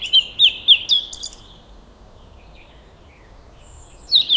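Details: High, sharp bird chirps in a peaceful sunrise forest or garden setting, several quick tweets repeated in the first second or so, a long near-silent gap, then a fresh short run of chirps near the end.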